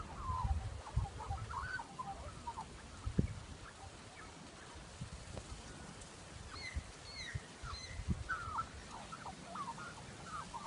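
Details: Australian magpie giving strange, computer-like gurgling, warbled phrases that wobble up and down, in a burst at the start and again after six seconds, over steady low wind rumble.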